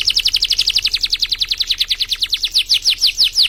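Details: Canary singing for tutoring other songbirds: a fast rolling trill of rapid high notes, roughly eight per second, continuous and bright throughout, with only faint background hum.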